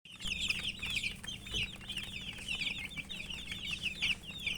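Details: Many colourful baby chicks peeping together in a dense, continuous chorus of high, short, rising-and-falling cheeps that overlap without pause, with a faint low hum underneath.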